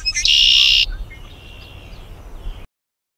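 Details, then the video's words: A red-winged blackbird (Agelaius phoeniceus) of North America gives one loud, harsh, buzzy burst lasting about half a second, then a few faint, thin, high notes trail off. "紅翅黑鸝/Red-winged blackbird"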